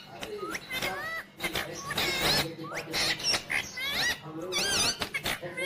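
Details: Green ringneck parrot producing a busy mix of upward-sweeping whistles, wavering trilled notes and harsh scratchy bursts, with some voices in the background.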